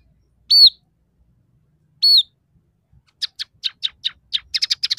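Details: Scaly-breasted munia singing prolifically, with fill-ins of house sparrow, red siskin and canary: two high, sharply descending whistled notes a second and a half apart, then a run of quick dry chirps that speed up.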